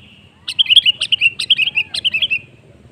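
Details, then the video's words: A Sooty-headed bulbul, played as a lure call to get other bulbuls singing, gives a quick, bubbly run of about a dozen bright chirping notes over two seconds, with only faint background hum. "Suara Pancingan Burung Kutilang"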